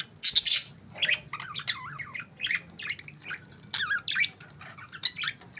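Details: Budgerigars chirping in the morning: a busy stream of warbled, wavering chirps and sharp squawky notes, several birds overlapping with short pauses between bursts.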